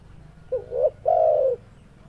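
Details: Male spotted dove in breeding condition calling: a short rising two-part coo followed by a longer, steady, mellow coo that falls slightly at the end, low and clear against a quiet background.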